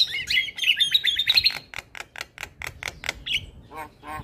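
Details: Singing male Javan myna, a recording meant to prompt young birds: bright whistled notes give way to a steady series of sharp, clipped chips about four per second, then a few low nasal notes at the end.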